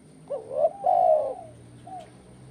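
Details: 'Kuk 1' style spotted dove, its call used to get birds singing: a quick wavering coo run straight into a long, even, mellow coo, then a faint short coo after a pause.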